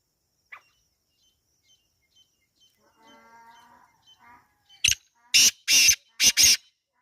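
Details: Black francolin in the wild: after faint distant chirps and a low murmur, a loud rasping five-note phrase bursts out. It opens with a short clipped note, followed by two longer grating notes and a tight closing pair.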